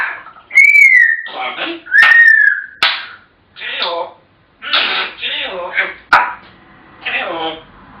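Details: African grey parrots at home: two arched whistles, then a string of speech-like syllables, with sharp clicks or slaps between phrases.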